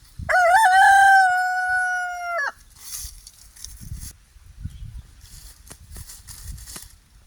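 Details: Free-range pastured rooster on an off-grid homestead crowing once: a loud, strained two-and-a-half-second cock-a-doodle-doo held on a steady pitch with a brief rising start and abrupt drop at the end, followed by faint low thumps and rustling.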